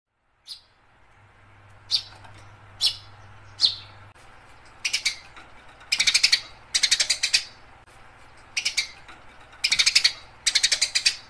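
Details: House sparrow in a fighting-style chirping recording used to train other birds: bursts of loud, harsh chirps, first single notes every second or so, then rapid trains of four to six chirps separated by short pauses.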